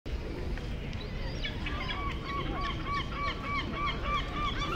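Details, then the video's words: Flock of gulls on a pond in St Stephen's Green Park, Dublin, Ireland; short arched squealing calls repeated in quick overlapping series, several per second, above a steady low rumble of background noise. "Flock Of Seagulls On Pond"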